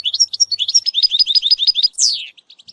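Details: Training song of a European goldfinch for a young bird: a brisk run of repeated liquid twitters capped by a loud downward-sweeping note and fading soft chips.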